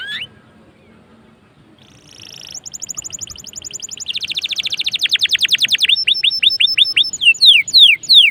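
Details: Canary in full, lively song, played to coax other canaries into singing: after a quiet start, fast buzzy high trills give way to rapid repeated notes, then loud downslurred whistles every third of a second.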